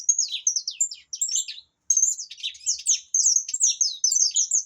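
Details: Loud, nearly unbroken song from an opaline saffron finch: rapid high chirps and slurred notes tumbling over one another, with two brief pauses.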